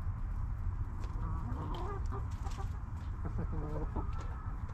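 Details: Backyard hens relaxing in a cozy coop: soft, low, rounded clucks come in a quick cluster near the end, after a murmured wavering note, with light pecking taps and a constant deep hum underneath.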